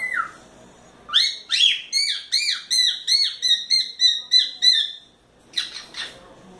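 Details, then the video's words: Four-month-old pet cockatiel playing in its play gym whistles a fast run of about ten repeated, arching notes, two or three per second, after one opening call, then a short scratchy burst at the end. "CALOPSITA assobiando muito"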